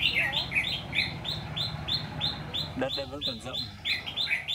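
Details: Red-whiskered bulbul (Má trắng) at a trap, singing to challenge rivals: rapid repeated high notes, briefly interrupted by a person speaking, then the notes resume.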